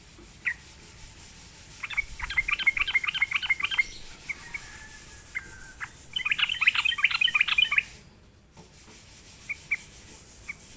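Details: Sooty-headed bulbul lured into singing: two bursts of quick, bubbly, chirping notes, each lasting about two seconds, with scattered single chirps between and after.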